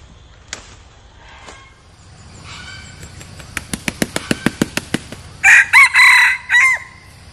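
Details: Decoy red junglefowl rooster, a bird kept to lure wild junglefowl, first beats its wings in a rapid run of about ten sharp claps, then gives a loud, harsh, multi-part crow with strained, rasping syllables.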